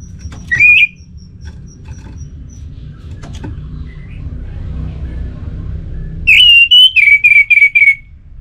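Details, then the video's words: A singing Orange-headed thrush, its song used to prompt other thrushes to sing. A brief rising whistle opens, then a long quiet gap with low background hum. A loud phrase follows of a held whistle and five quick descending whistled notes. "Anis Merah Gacorr Untuk Pancinggan Burung Punglor Jadi NGeplong Bahkan Teler Kalau Jantan"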